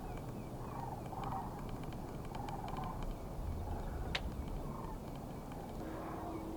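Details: Sandhill cranes flying in over a pond in Alaska during spring breakup, back as a sign of spring, call from a flock overhead with loud, rolling, trumpeting rattles overlapping every second or so over a steady low wind rumble.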